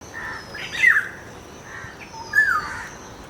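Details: Black-hooded oriole (Oriolus xanthornus), filmed at Bortir Bil, Barasat, giving two mellow, slurred, fluty whistled phrases about one and a half seconds apart, mid-pitched, over a faint steady high whine.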